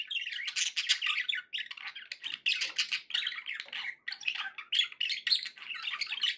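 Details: Pet budgerigars, described as happy, chattering in dense bursts of scratchy warbles and squawks mixed with quick chirps, pausing briefly between phrases, several birds overlapping.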